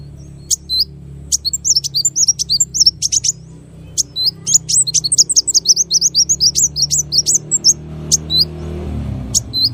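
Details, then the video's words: Long, lively small bird song of 'tembakan' variations: scattered high chirps giving way to dense rapid runs of sharp twisting notes, briefly pausing before another fast stream and a few closing chirps. "MASTERAN BURUNG KECIL FULL TEMBAKAN VARIASI MEWAH"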